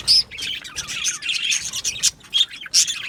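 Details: Aviary colony of Australian budgies giving a busy stream of twittering chirps, broken by several loud shrill squeaks at the start, around two seconds and near the end.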